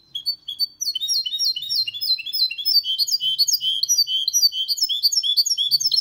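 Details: Error-free song from a goldfinch-canary cross, recorded in 2022 to get males singing and to teach young birds: dense, lively twittering of high chirps and trills running without pause, with faint low knocks.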